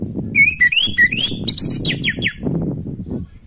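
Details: Orange-headed thrush delivering a quick string of whistled notes, first level and looping, then steeply falling, over roughly two seconds, with low rumbling noise beneath. Used to coax a stalled bird into breeding condition.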